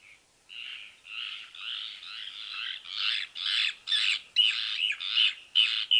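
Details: Brown Cacholote in Argentina: harsh, buzzy notes building in loudness and pace, ending in a string of emphatic, scratchy bursts, with no other sounds.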